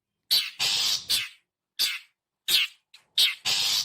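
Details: Long-tailed shrike calling, recorded as a lure for wild birds: about seven grating notes, with short harsh chacks interspersed with longer buzzy rasps, ending on a sustained scolding note.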